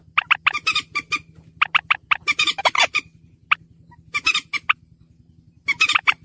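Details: Lure recording of a slaty-breasted rail (mandar batu): clusters of rough squawking notes, several per second, in bursts of about one second with brief gaps, backed by a faint steady hum.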